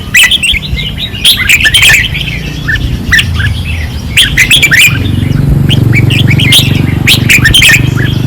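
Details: Red-whiskered bulbuls in cages at a training perch in Pattani, 2024, singing fiercely: rapid chirpy warbles from several birds pour out almost nonstop, over a constant low hum that grows louder in the second half.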